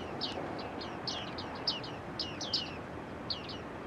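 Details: Bearded tits in an early-autumn flock at Newport Wetlands, giving a steady stream of short falling pings, roughly one or two a second, some doubled, over a soft rumbling background.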